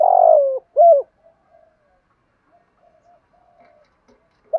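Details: Male and female spotted doves coo for training newly caught captive birds: a long falling coo and a short rounded one, then near silence with faint traces.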